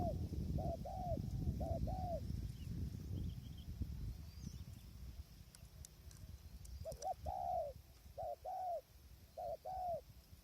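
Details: Spotted dove used as a decoy for trapping wild doves on a windy day, wild birds far off; two bursts of low, hollow coos, short rounded notes in quick groups, over heavy wind rumble.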